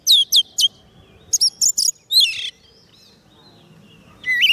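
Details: A white-rumped shama kept on soft food sings to lure wild birds: a few quick rising whistles and chirps, a scratchy burst, a long quiet gap, then renewed whistling at the end.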